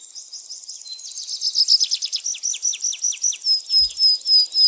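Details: High chirping birds. A run of quick down-slurred notes gives way to repeated loud, clear whistled notes about every third of a second, with a faint steady high buzz behind.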